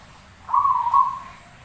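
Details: A single rolling, tremulous coo from a zebra dove singing as a training model, lasting under a second over faint background hum.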